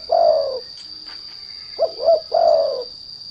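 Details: A trained lure spotted dove, used to make untrained doves sing, gives a long soft coo, then a pair of quick notes leading into another drawn-out, slightly falling coo, with a continuous thin high tone in the background.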